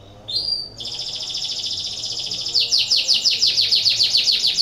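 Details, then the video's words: Canary in breeding condition, song played to stimulate other canaries to sing: a short whistled note, then a sustained high trill breaking into strongly pulsed repeated notes roughly three per second. "PANCINGAN KENARI BIRAHI , AMPUH MERANGSANG KENARI IKUT BUNYI"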